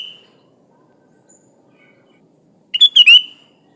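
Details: A faint whistled note at the start, then after a long pause a single bubbly phrase of rich liquid whistles ending in a slurred tail, from a sooty-headed bulbul.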